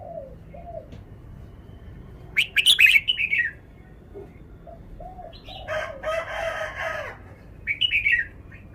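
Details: Caged red-whiskered bulbul displays its characteristic song phrasing. A burst of loud, bubbling warbled notes is followed by a rooster crowing nearby, then another short bright phrase. Low soft coos run through the background.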